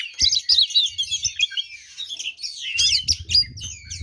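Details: Oriental magpie-robin in full fighting song, meant to make other magpie-robins aggressive: a fast, crowded stream of high warbles and chirps, with low rumbling thumps in the background.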